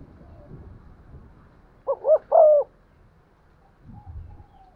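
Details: Spotted dove lure bird giving one stimulating coo phrase in 'giọng son' style: two short wavering notes then a longer falling note, set against a soft rumbling background noise.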